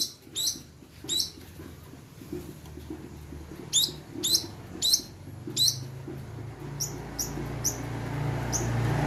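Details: Long-tailed shrike lure recording used to provoke other shrikes into singing: sharp, high, scratchy note bursts in short clusters, loudest near the start and middle, with gaps between, over a steady low rumble of background noise.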